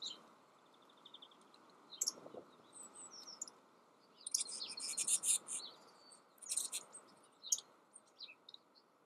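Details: A Yellowhammer in the Eifel, Germany, sings a string of thin, high, quickly repeated notes and bright trilled bursts, with other chirping bird calls and soft background hiss.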